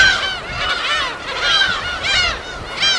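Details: Wild gulls on an uninhabited West Sea island colony, recorded on location: several birds overlapping in long, slurred, wavering cries, rising and dropping, in three swelling bursts.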